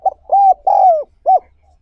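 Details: Single cooing phrase of a spotted dove, used for luring and training birds: a short note, a level hoot, a longer falling coo, then a brief arched final note, clear with little background.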